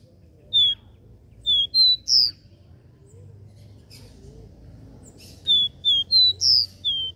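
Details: Caboclinho (capped seedeater) performing the regional three-note 'Dó Ré Mi' song: a single high whistle, then two phrases of clear, descending and rising whistled notes separated by a pause of several seconds with faint background sounds.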